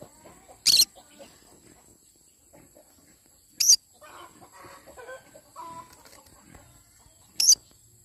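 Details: A yellow-sided conure calls in the morning with three harsh screeches spaced about three seconds apart, with quiet warbling and chattering notes between them.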